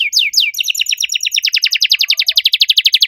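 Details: Canary in vigorous, shrill song in a distinctive cengkok style: a few slow swooping notes, then an even, rapid rattle of sharp repeated notes at about eight per second.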